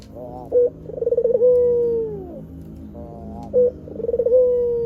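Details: Energetic white Barbary dove cooing, used as a lure for wild doves: a brief sharp note, a quick rolling trill, then a long smooth coo sliding downward, twice in a row.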